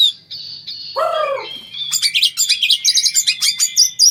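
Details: Oriental magpie-robin singing during mating: a varied, fast jumble of high chirps and sharp twitters, opened by short steady whistles and a lower harsh downward-sweeping note, then a dense run of rapid repeated notes.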